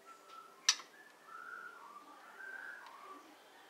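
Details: Breeding parent White-rumped shama of the Medan type, kept in breeding cage C2, gives smooth, sustained whistled notes sliding between mid pitches, broken by one sharp click early on.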